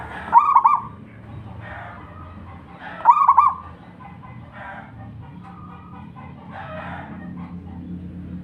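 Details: Local wild zebra dove in full song: two clear, rapid, rolling coo phrases, each about half a second long and about three seconds apart, with softer cooing notes after them against a quiet background.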